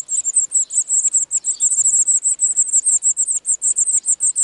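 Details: European serin nesting in the wild during spring 2018; an unbroken, rapid, shrill, sizzling trill of very high notes pulsing steadily throughout, strong and close.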